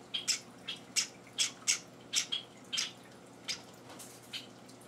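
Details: Hand-fed Java sparrow chicks, four days after arriving home, give sparse high squeaky begging notes, roughly one or two per second, fading toward the end, with small wet feeding sounds in a quiet room.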